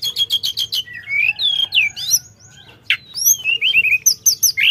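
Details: Sooty-headed bulbul in full, active song: fast ticking notes at first, then sweeping upslurred and downslurred whistles, a sharp burst, and a descending run of short piping notes ending in quick high chips.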